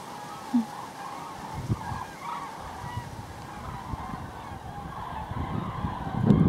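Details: Common cranes, a southbound flock of more than 1000 on their last flight of the day, 28 November 2012, Javoulet in Berry, by the Cher's biggest lake. Continuous chorus of rolling, trumpeted calls with some louder notes, and gusty wind and thumps below.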